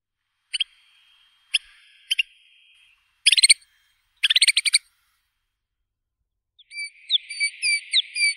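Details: White-winged snowfinch giving short, sharp high chirps singly and in pairs, then two fast stuttering bursts of clicky notes, ending with a thin twittering run of upward-flicking notes; no other sounds.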